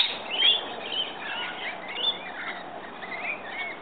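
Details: Rainbow lorikeets at a morning feeding spot give soft, overlapping squeaky chirps and thin whistles, fairly steady and low in volume.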